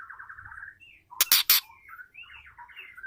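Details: Female white-rumped shama voice meant to excite male shamas: a quick series of warbled notes, loud sharp knocking bursts in the middle, then rising and falling whistled phrases.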